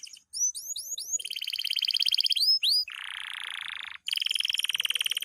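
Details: Loper canary in full, frenzied night song: quick upward-sweeping notes lead into long rapid trills, a dense buzzy roll and another fast pulsing trill, with almost no pauses.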